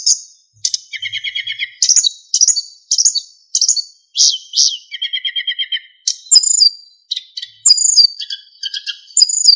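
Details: Narcissus flycatcher singing persistently, with fill-ins and clear whistles, for use in training other songbirds: high whistled notes alternate with buzzy, rattling trills in a varied, continuous stream.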